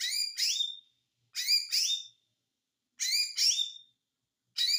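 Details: Ijo mini white-eye, konslet song: a two-part high twittering phrase, the second part ending in a clear slurred whistle, repeated roughly every one and a half seconds against silence.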